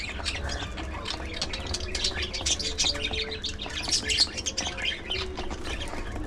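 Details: Pet budgies eating together, a continuous jumble of high chirps, squeaks and chattering notes from several birds, over steady low background noise and small clicks of pecking.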